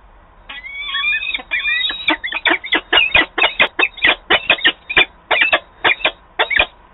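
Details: Peregrine falcon at a nest site in Wałbrzych, Poland, 22 April 2022, a young bird taking its turn in place of its mate: harsh, rasping calls repeated in an uneven series of about fifteen loud notes.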